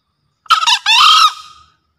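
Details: Crow of a male green junglefowl in breeding condition, recorded as a master call for luring: a brief harsh opening note followed by a drawn-out, rough, strained syllable that tails off, with no other sounds.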